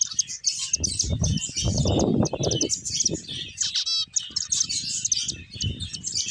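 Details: A group of finches chirping while playing: dense, overlapping high twittering notes, quick short chips and a brief trill, with soft rustling and thuds of movement underneath.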